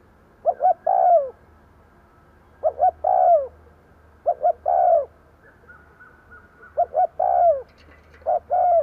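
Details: Decoy spotted dove cooing to provoke wild doves: four phrases, each two quick soft notes followed by a longer mellow coo that slides downward, with gaps of about two seconds and a steady low hum beneath.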